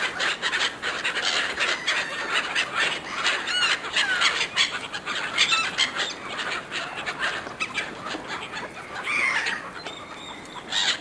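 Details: Seagulls jostling for food given by a person; many overlapping harsh calls form a busy clamour, with a louder squeal near the end over constant background noise.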